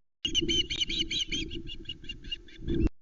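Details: Ospreys at the Loch Arkaig nest, Scotland, 19 July 2020, as the male brings a whole trout to three chicks: a fast run of high, piping chirps, about a dozen in three seconds, over a low wind rumble.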